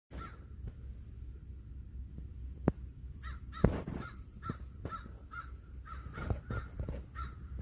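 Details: Crow asking for a snack, giving a string of short, soft, nasal caws roughly once a second, over low rumbling background noise with a few sharp clicks.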